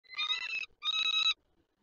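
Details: Falcons at a nest ledge on the PGE building in Lublin, Poland, 28 May 2019, with both parents near the young as if inviting them to fly: two harsh, rapidly pulsed, nasal bursts with rich harmonics, separated by a short gap.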